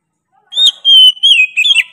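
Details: Oriental magpie-robin singing sharply. It gives one brief phrase: a rising whistle, then a long level whistled note, ending in quick wavering twitters.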